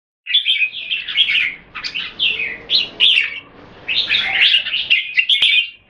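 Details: Red-whiskered bulbul in a Singapore-style display contest between kept birds: dense bursts of warbled, chattering phrases between 2 and 4k, with brief pauses and a sharp click near the end.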